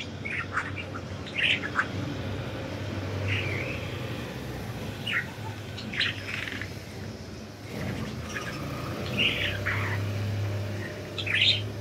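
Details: Free-flying budgies giving scattered short chirps and squeaky notes at irregular intervals against a steady low rumble, with a louder pair of chirps near the end.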